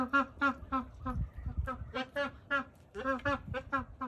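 Magpie goose giving a quick run of resonant, nasal honks, about three per second, with a low rumble of wind or handling underneath.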